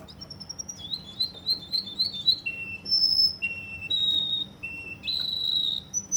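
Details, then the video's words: Russian canary in Kuwait singing a varied song of pure whistled notes and trills, sliding between high and lower pitches, with rapid warbled phrases and sustained flat tones. "Russian canary from Kuwait"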